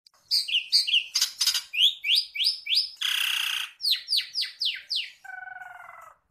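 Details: An Oriental magpie-robin sings while spreading its tail and swaying, a fast, varied run of clear downslurred whistles broken by harsh buzzy rasps and ending on a drawn-out nasal note.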